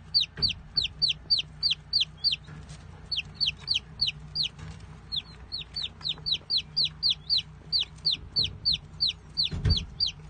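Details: Young chicks giving a continuous run of shrill, falling peeps, roughly three per second, with a faint low rumble and a brief thump near the end.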